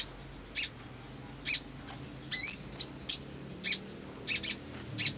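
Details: Black sunbird in breeding-mood song: thin, piercing high chirps at uneven intervals, with one longer buzzy, sliding phrase and a quick double note near the end.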